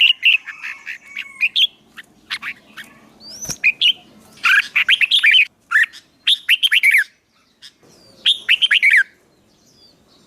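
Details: Songbird trained for fighting song to excite a newly caught bird: loud bursts of rapid, warbling, up-and-down whistled phrases with short gaps between, plus a sharp click near the middle.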